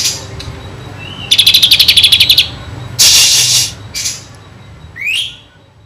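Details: Kinoi song full of kapas tembak phrases, as a tutor for white-rumped shamas: a brief rising whistle leads into a rapid even trill, followed by a loud raspy burst and a steeply upslurred whistle at the end.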